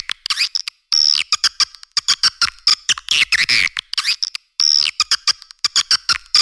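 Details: Edible-nest swiftlet attraction call: bright chirps that dip in pitch mixed with fast buzzy chattering and clicking bursts, repeated throughout.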